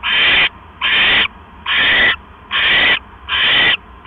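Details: Owl at the nest during a night-time mouse delivery, 12 October 2015 at 9:40 PM: five loud, noisy hissing screeches, each roughly half a second, repeated at an even pace of about one every 0.8 seconds.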